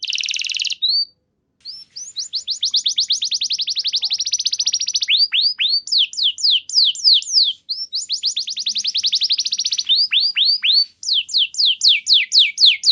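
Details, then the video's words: Clear-voiced canary singing to prompt other canaries that have stopped singing: a buzzy opening note, then long rapid rolling trills alternating with sweeping whistled phrases, each tour changing in speed. "Pancingan Burung Kenari Macet Bunyi! Ampuh Bikin Kenari Lain Langsung Respon Terpancing bakal Gacor"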